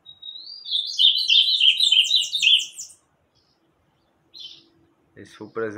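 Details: Bananaquit opening with a thin rising whistle, then a rapid, buzzy, wheezy trill of tumbling notes lasting two seconds, followed by silence, a brief high chip and some knocking noises.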